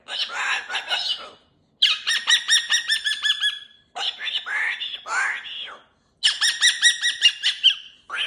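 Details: Cockatoo at home playing with new jingly toys on the cage, chatting in four long bursts of rapid, buzzy, syllable-like squawks. The bursts are broken by short silences, with some notes rising and falling.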